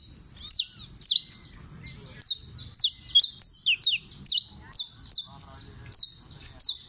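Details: Champion canario criollo, Turbo, Antioquia: bright, sharp, descending high notes in irregular clusters, some doubled or in quick pairs, dominant over a faint low background hum.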